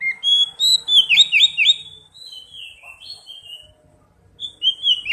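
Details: Oriental magpie-robin song used to prompt singing: loud repeated chirps and whistles, then softer drawn-out whistles, with faint low background hum.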